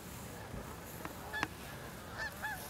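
Cackling goose giving three brief, high, yelping honks over about a second, with a sharp click before them and a soft hiss throughout.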